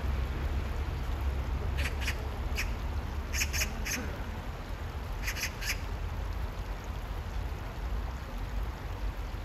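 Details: Oriental magpie calling near water on a hot day: harsh, rasping 'kkak' notes delivered in quick bursts of two to four, the groups separated by pauses of a second or more, over a steady low rumble of water and wind.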